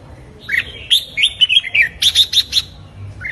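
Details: Red-whiskered bulbul morning song used for training, meant to stir young birds into fighting song: a rapid run of sweet, slurred whistled notes followed by a string of sharp chirps.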